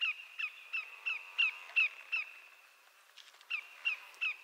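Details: Fainter calling by a greater yellowlegs, a Canadian shorebird, with repeated falling notes about three per second. There is a short lull with clicks, then the notes return.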